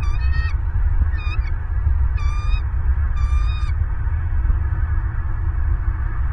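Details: Bald eagles at a nest in Southwest Florida, filmed by a live nest camera just after midnight on 28 December 2022: four bursts of high, stuttering, piping notes over heavy low wind rumble and a faint steady tone.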